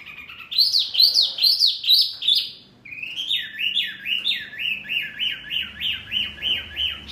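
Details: Mini wambi bird, very loud and provoking others: a few loud swooping chirps, short gap, then a long regular run of rising-falling chirps about two per second.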